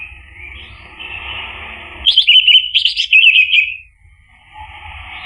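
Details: Lure song of an Orange-headed thrush, meant to coax a bird that has stopped singing: a soft hissy start, then a loud burst of quick jumbled chirps and trills lasting about two seconds before fading out.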